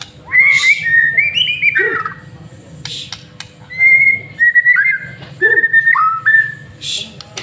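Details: White-rumped shama lure song for training: separated bursts of whistled, slurred and warbled phrases with rising and falling notes, interspersed by clicks and soft noise, over a faint low hum.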